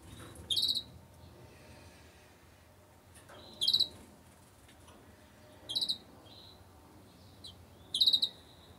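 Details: Two-barred crossbill sitting on its nest, incubating, calling in brief clusters of three to four hard, metallic chips, the clusters repeated roughly every two seconds against a quiet background.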